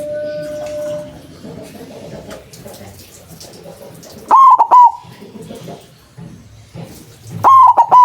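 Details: White zebra dove with a loud voice, played to lure doves into traps. Two separate bursts of three rounded coos come about three seconds apart after a quieter murmuring lead-in.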